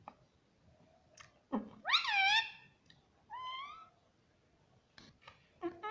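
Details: Talking pet rose-ringed parakeet in a room saying "mummy": one loud arched harmonic syllable, a softer rising note after a short gap, then clicks and a brief squawk at the end.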